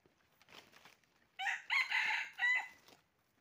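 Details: Red junglefowl crowing during a trapping session on 20 January 2023: a short, hoarse, broken crow of about three linked syllables, preceded by faint rustling noises.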